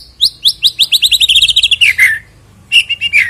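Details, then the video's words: White-rumped shama singing, used to prompt birds to sing before a singing contest: a fast rattling series of sharp rising notes that speeds up, then drops to lower rich whistles after a short pause. "EFEKTIP AGAR CEPAT BUNYI BUAT PANCINGAN MURAI BATU JELANG LOMBA KICAU"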